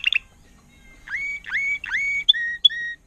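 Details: Trained Timbrado canary, agate topaz intense yellow, from 2018: a short run of clear whistled notes, some rising sharply then held level, ending with brief high piping tones in a quiet room.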